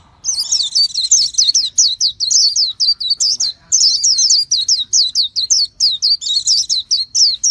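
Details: Nonstop high-pitched warbling from a Japanese white-eye: a long, fast chain of sweeping chirps and twitters with barely a pause across more than seven seconds.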